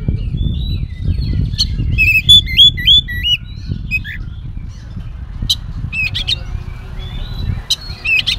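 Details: Continuously singing Oriental magpie-robin, its song filled with mimicked phrases, used as a lure for other magpie-robins: a quick run of curling whistles early on, then sparse sharp calls amid low rumbling noise.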